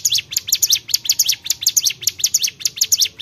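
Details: Rapid, high-pitched song of a Bar-winged prinia: paired and tripled thin notes sliding downward, repeated at a brisk, fairly even pace with no other clear sounds.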